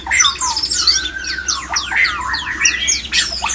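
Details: Murai batu mating sound, played to stir other shamas to breed: a loud, fast cascade of sweeping whistles and sharp falling notes, rising to high squeaky accents and smooth mid-pitched whistles, nearly without pause.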